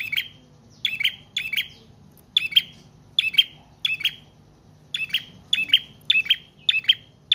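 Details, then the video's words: Prinia singing steadily, a recording meant to lure birds and to tutor cage birds: loud, high, clipped double chirps with short buzzy trills, repeated roughly every half second to second without a break. "Prenjak Trotol/Paot Gacor Panjang"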